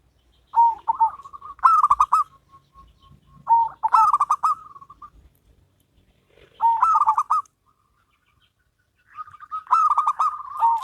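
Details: Zebra doves, one local and one crossbred, in a duet. Loud rapid pulsed coo phrases come roughly every two to three seconds, linked by faint drawn-out notes.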